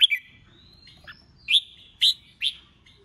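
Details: Red-whiskered bulbul, a male, singing in a contest style known as ché chét, used to provoke newly caught birds into competitive song; a few loud, bright chirped notes spaced about half a second apart, with a thin whistled slur between them.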